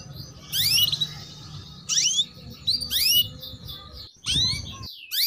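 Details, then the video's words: Female canary giving 'cuit cuit' chirps, used to coax young males into singing quickly; bright, sharply rising chirps come in short bursts roughly every second, five bursts in all, over a faint low hum with a brief silent gap near the end. "PANCINGAN Kenari BETINA Cuit Cuit"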